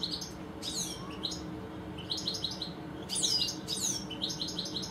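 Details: Garden goldfinches, two European birds, mix sharp downslurred notes with clusters of short, high, chattering twitters, repeated in bouts roughly every second, against a quiet steady hiss.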